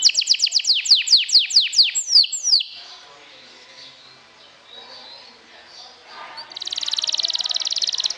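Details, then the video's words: Canary lure song to rouse other canaries: a series of loud downslurred high notes repeated quickly, a pause of faint murmur, then a dense buzzy trill starting up at the end. "PIKATAN KENARI, PANCING EMOSI, TERAPI STRESSS, SIAP GANTANG LAGI"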